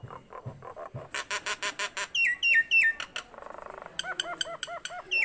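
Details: Energetic Nias hill myna song opening with low knocking notes, then loud evenly spaced clicks, falling whistles, a brief buzzy rattle and a run of bouncing hooked whistles.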